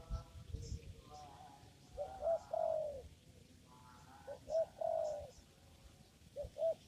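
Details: Spotted dove heard while being trapped with a lure in a papaya garden; repeated hoarse cooing phrases in clusters, each ending in a stronger falling coo, separated by quiet gaps with faint high chirping.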